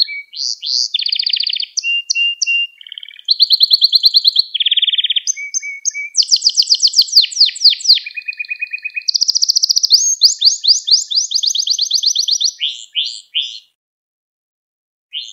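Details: Extended canary song used as a lesson for young canaries: varied rolling trills at shifting pitches, fast sweeping note series and short buzzy bursts, ending in a brief silence.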